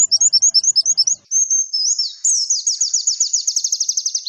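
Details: White-eye song played as therapy to make caged birds sing eagerly: high rapid chirped notes in quick bursts, then a steady trilled run and a fast series of descending slurred notes.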